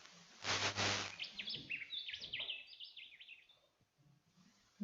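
Rufous Whistler song: a quick run of rich, bending whistled notes swooping up and down, following a brief burst of a man's speech at the start.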